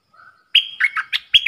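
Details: Bulbul kept in a cage, singing against wild birds on 3 October 2021: a faint low warble followed by loud, clear whistled notes that step up and down in pitch, with a soft thump near the end.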